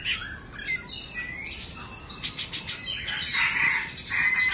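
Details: Oriental magpie-robin (Copsychus saularis) singing a rich, fast medley of clear whistles, slurred notes and scratchy phrases, bright and high, with no pauses between phrases.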